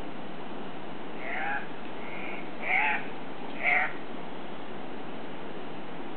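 Andean cock-of-the-rock giving four loud, harsh, nasal squawks about a second apart at the lek, over a steady rushing hiss.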